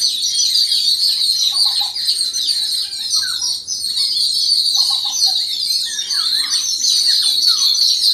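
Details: Yellow-billed babblers reacting as a flock to an unidentified threat, with rough chattering and short squeaky rising notes that overlap irregularly. Continuous high-pitched insect noise sits over everything.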